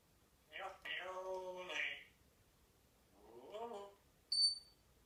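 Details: A parrot nearly sings the football chant "campeones, olé olé olé", a voice-like, wavering run of syllables, then a shorter phrase, followed by a sharp high electronic beep.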